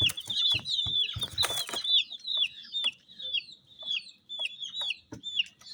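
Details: Colour-dyed chicks in a group produce a busy chorus of shrill, quick-falling peeps, with a burst of rustling noise near the start.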